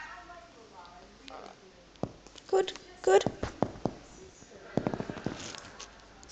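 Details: A talking rainbow lorikeet mimics speech with two quick voice-like "hello" phrases, then a run of sharp clicks and taps in a quiet room.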